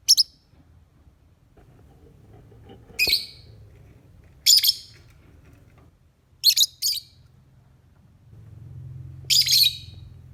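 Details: Lovebird in the morning, recorded as a lure to prompt singing: five bursts of shrill, harsh, high chirping, some doubled, separated by quiet gaps of one to two seconds over a low background hum.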